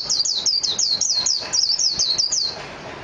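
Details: Japanese white-eye (mejiro) singing a rapid run of high, downslurred whistled notes, about twelve in two and a half seconds, bright and clear over a quiet background.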